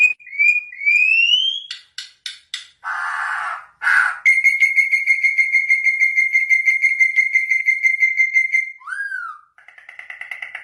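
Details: Whistled bird song: rising clear whistles, harsh buzzy notes, then a long steady pulsing whistled trill held several seconds, a downslurred note, and a softer closing trill.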